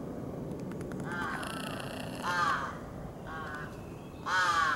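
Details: Large-billed crows, a parent and young, with the parent grooming the chick, on 26 July 2018: harsh, nasal caws, some short and some drawn out and slurred, four calls in about five seconds over low rumble.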